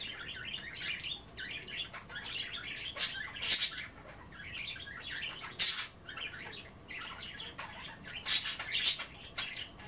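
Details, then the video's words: Budgerigars nibbling kale and water at bath time, chattering steadily in a warbling, scratchy stream punctuated by several loud sharp chirps and clicks, indoors. "A day in the life of a Budgie - kale bath and chattering"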